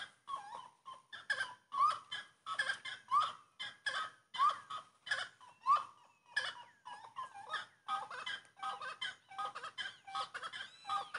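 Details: Grey-cowled wood rail (Aramides cajaneus) giving a loud, raucous chorus of cackling, hooting phrases, repeated roughly every second and a half, rising into an excited, overlapping series.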